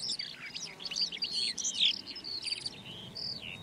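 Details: Red-backed shrike song: a short burst of busy, jumbled high chirps and squeaky slurred notes packed closely together, with a faint low background murmur.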